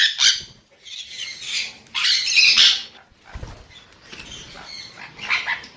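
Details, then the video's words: Several rough, high squawks from a sun conure, loudest around two to three seconds, then softer scattered screeches toward the end. "เสียงนกแก้วซันคอร์นัว Conure Sounds"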